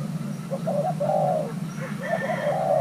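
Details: Spotted dove, Thai hybrid, young male being paired, gives a short low coo phrase: a couple of clipped notes, a long drawn hoarse coo, then more short notes, with a faint higher chirp and steady hum.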